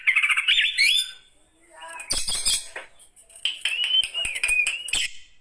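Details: An old Oriental magpie-robin sings a warbling whistled opening, then pauses before scratchy, chattering notes and a thin, wavering whistled trill at the close.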